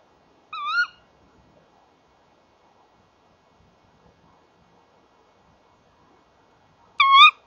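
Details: Tawny owls, male and female, calling at a nest box on a January 2014 evening around 19:31; two brief, shrill, wavering kewick calls about six seconds apart, with a still, quiet night between them.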